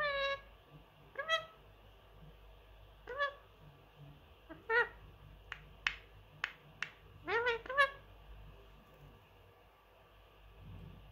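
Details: Three-year-old male Indian ringneck kept as a house pet with other birds, a talker that copies phrases. A run of rising, nasal syllables and a burst of quick clicks, while an owner coaxes it with kiss sounds.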